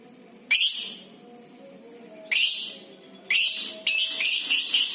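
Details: Lovebird from a clear-voiced tutor recording meant to prompt all kinds of lovebirds into long 'ngekek' chatter; three short, shrill, rasping bursts, the last two running close together, with quiet gaps between.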